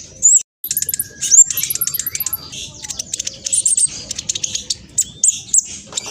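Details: Black sunbird, speckled ('trotol') form, singing fast and busily as a lure to provoke other birds to answer: rapid, very high, thin chirps and sharp twittering notes in quick bursts, with a brief pause early on.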